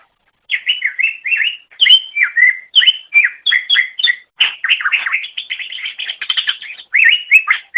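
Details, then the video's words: Greater green leafbird singing in a recording meant to tutor pet songbirds: a long, lively sequence of slurred whistles, chattering notes and mimicry-like twitters in quick succession. "MASTERAN GACOR - Suara Burung Cucak Ijo"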